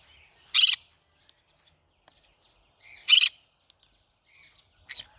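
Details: Cinnamon-coloured green-cheeked conure calling with short, rasping squawks spaced about two and a half seconds apart, a fainter third call at the end, and quiet surroundings.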